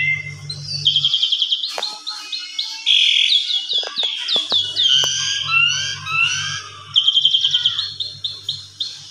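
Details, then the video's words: Asian pied starling singing an agitated, excited song meant to provoke other starlings: a dense, varied medley of high chattering phrases, rapid trills and sharp whistles over a faint low hum. "Suara Jalak Suren Pancingan EMOSI Full Mompa Vareasi Agar Burung Jalak Lain Ikut Emosi Full Isian"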